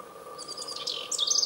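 Eurasian wren: a brief burst of very high, rapid twittering notes running into a fast, loud trill, over a faint steady hum.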